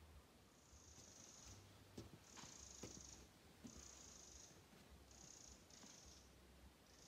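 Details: Eurasian wren giving a warning alarm in the alder swamp at Alkärret, Stornäset, Alnö, on 29 July 2022, calling agitatedly: five high, dry churring rattles, each about half a second long, spread over seven seconds, with a faint low rumble beneath.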